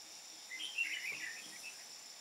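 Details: Decoy red-whiskered bulbul used to trap wild birds in Hoa Binh, Vietnam, on 13 May 2017, giving one brief burst of warbled, chattering notes in the ché style over a steady high insect drone.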